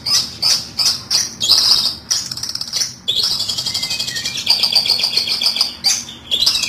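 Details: High twittering of long-tailed shrike for trapping lure: bursts of sharp chips with short pauses, then a long run of fast trilled high notes and a few lower whistles.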